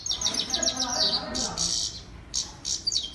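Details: Female European goldfinch, called Saira, singing: rapid bursts of high, tinkling chirps, with short pauses between the twittering phrases.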